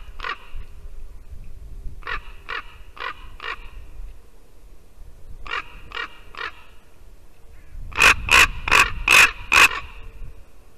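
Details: Ravens calling at a white-tailed eagle nest in Latvia, 8:59 AM, 2 December 2019: harsh, rasping croaks in quick bursts of three to five, the last run loudest, over wind rumble; one sounded like a rusty hinge; the brooding eagle chased one off.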